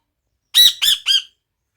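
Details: Parrot making three harsh, nasal squawks in quick succession, each rising then falling, in a quiet setting.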